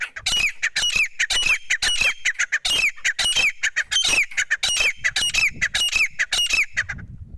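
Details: Partridge calling: loud, fast series of harsh, squawking notes, each with a falling whistled tail, repeated nearly twice a second in a steady rhythm.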